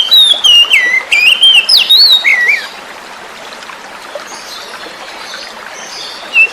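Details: Forest-caught oriental magpie-robin luring song for birds that stopped singing: under three seconds of loud, swooping whistled notes, then only steady flowing water with a faint chirp and a final brief whistle.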